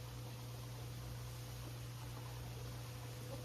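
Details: Only a steady low hum with broadband hiss, like an engine or appliance, and no animal calls.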